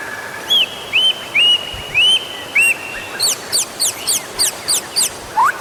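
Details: White-rumped shama song for prompting other birds to sing: a string of clear looping whistled notes roughly once a second, then a faster run of sharp high chips and a closing rising phrase.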